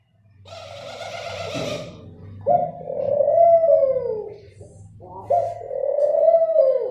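A dove gives low, hollow coos around 500–700 pitch range, each a drawn-out rolling phrase of about two seconds, repeated with brief gaps; a faint hum underneath.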